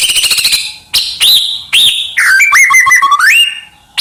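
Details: White-rumped shama singing to train other birds: a fast rattle, arched whistled notes, then a winding, fluid whistled phrase rising at the end.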